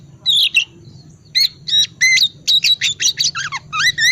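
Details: Oriental magpie-robin singing in the ngriwik wiksar style, used as a lure to get quiet magpie-robins singing; rapid, varied bright whistles and buzzy chattering notes, some slurred downward, in bursts over a faint low hum.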